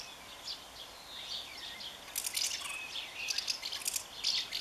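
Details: Common house martin at its nest on 20 May, twittering while defending the nest, even against its partner: dry, scratchy, high-pitched chattering in quick bursts, louder and busier in the second half.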